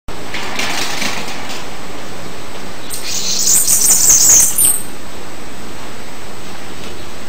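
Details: Bananaquit singing one short, very high, thin hissing burst of about a second and a half, wheezy and twittering, over steady faint background hiss.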